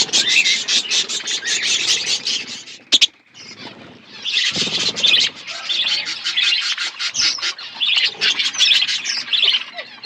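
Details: Flock of budgies in an outdoor aviary giving continuous raspy, buzzy chatter and chirps, a brief lull near the middle, a sharp click, then the warbling chorus resumes.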